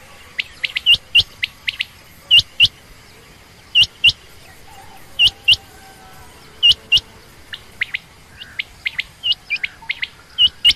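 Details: A female quail (common quail or rain quail) gives sharp, high chirps in quick pairs, repeated every second or two, with softer, thinner chirps scattered between.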